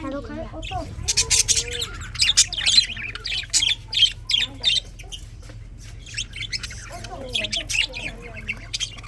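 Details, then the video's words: Morning chirping of budgies: bursts of scratchy, buzzy chatter and squawks in an irregular run, pausing midway then resuming with softer warbling notes. "Morning 🌄 chirping sounds ! best parrot 🦜 beautiful"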